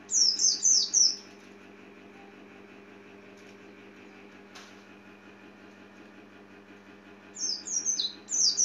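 Oriental white-eye giving quick bursts of thin, very high, falling chirps, about four or five notes per burst. The bursts are separated by quiet, with a steady low hum behind.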